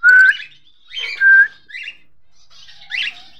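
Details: Cockatiel from a caged breeding pair: two loud, steady whistled notes, one at the start and one about a second later, with softer raspy chirps between them and a short fading chatter at the end. The background is otherwise quiet.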